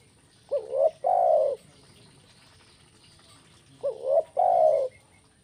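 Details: Spotted dove calling in the kuk 1 style: two identical phrases about three seconds apart, each a short rising double coo, then a long steady mellow coo.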